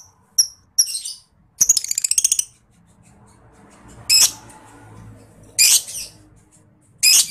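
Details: Lovebird ngetik and ngekek calling for contest-bird training: scattered high chirps, a fast stuttering rattle of clipped notes, then three widely spaced harsh, shrill bursts with quiet gaps between them.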